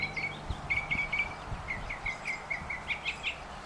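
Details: Northern mockingbird singing on a telephone wire: a quick run of short, high chirped notes, several times a second, over a soft low rumble.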